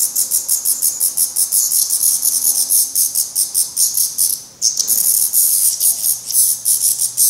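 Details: Young black redstarts at their nest in Portugal, already trying first flights but still fed by the parents: harsh hissing begging repeated in rapid pulses, several per second, with one short pause midway.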